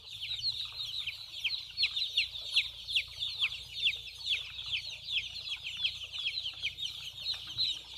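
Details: Small white chicks at play and drinking water, peeping constantly: shrill, descending cheeps repeated a couple of times per second by several birds at once, with light clicking and a low background drone.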